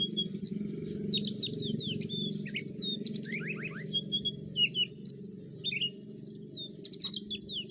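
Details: Varied high song of a white-rumped shama, with sweeping whistles, sharp chip series and descending slurs, over a strong low droning background.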